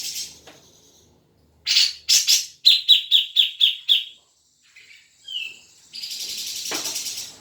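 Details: Song of a grey-cheeked bulbul meant to make a caged bird sing: a few rough, buzzy bursts, then a fast series of seven clipped chattering notes, a short whistled note, and a burst of broad hissing noise.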